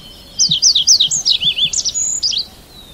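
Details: A Red avadavat phrase of around a dozen sharp, high zigzagging chirps packed into two seconds, ending with a brief thin whistle, against a quiet background.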